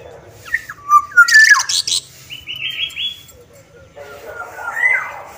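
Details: Black-naped oriole from Sumbawa singing actively: rich fluted whistles sliding down and up, then a run of short, even notes and a harsher, buzzy note with a bright rising slur near the end; faint low background rumble.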